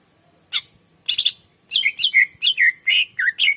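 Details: Greater green leafbird song, a full-length recording of a strong singer meant to lure and train other birds: a few isolated sharp notes, then a quick series of loud whistled downslurs and chirps, clean and close with no background.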